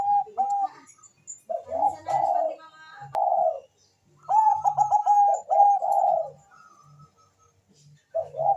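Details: Melodious Bangkok zebra dove in constant song, played to spur mating drive and singing: bursts of rolling, stuttered coos separated by short pauses, with faint low knocking in the background.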